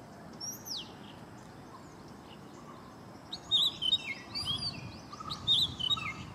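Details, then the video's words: Male Oriental magpie-robin, a common Asian garden bird, mimicking a Red-whiskered Bulbul: faint high whistles early on, then a louder burst of sharp, warbled, rising and falling notes in the last three seconds over steady background hiss. "Oriental Magpie-Robin mimics Red-whiskered Bulbul"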